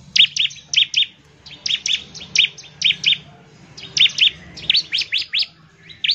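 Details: Bar-winged prinia in an energetic ngebren burst meant to get other prinias singing fast: short clusters of two to four bright, sharp chirps separated by brief pauses, delivered irregularly over six seconds against a quiet low background murmur.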